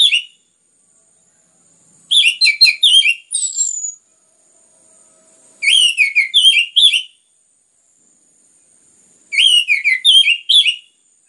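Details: Orange-headed thrush song used to prompt other birds to sing, Indonesia: three bursts of rapid varied whistled notes about every three and a half seconds, one ending in a long slurred descending whistle, with silence between.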